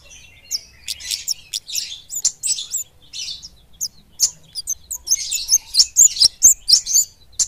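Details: Flowerpecker (kemade), mountain or village bird, singing loudly and rapidly: a long sequence of piercing, high chirps and brief twittered notes, roughly two per second, growing denser and louder toward the end.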